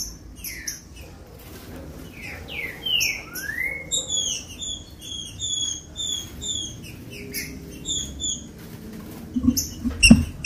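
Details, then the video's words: Green-winged saltator warm-up song for captive birds: faint slurred whistles sweeping steeply upward, surrounded by steady series of short, thin high chirps, with a soft thump near the close. "TRINCA FERRO OUVIU CANTOU O MELHOR CANTO PARA ESQUENTAR FOGUEAR LEVANTAR SEU TRINCA FERRO"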